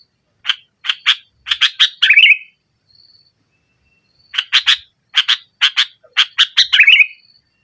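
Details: Energetic sooty-headed bulbul song in 'nggaruda' style, meant to pressure an opponent and coax a silent bird: evenly spaced harsh chirps speeding into a bubbling trill, a pause, then the same chirp series and trill again.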